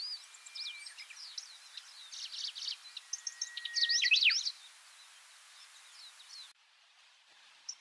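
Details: Styan's grasshopper warbler, recorded about 20 years ago on Miyakejima, sings from atop low pine shoots: a brisk phrase of high, scratchy chirps that quickens and swells to a loud, tumbling finish, then stops; faint background hiss follows.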